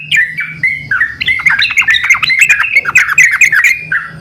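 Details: Excited yellow-vented bulbuls call back and forth, their short gurgling notes piling into a dense, overlapping chorus after the first second, with clicks throughout.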